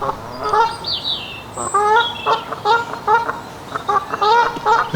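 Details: Canada geese at Longton Brickcroft honk as they swim, giving loud, nasal honks in a quick run of about eight calls over five seconds, each a short two-note bark; a few thin higher bird notes sound early on.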